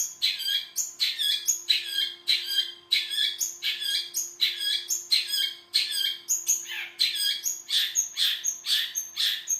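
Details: Long-tailed shrike delivering a dense, continuous stream of rapid chattering chirps and high whistles with hardly a pause, then brighter clipped notes near the end.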